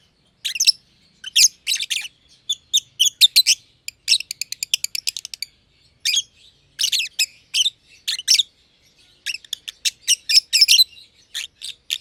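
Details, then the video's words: Companion lovebirds, one green personata not yet a year old and one green pied personata, chattering in an aviary; high scratchy chirps with long fast rattling series of evenly spaced clicks and bursts. "Lovebird Chirping Sounds - Green Personata & Green Pied Personata"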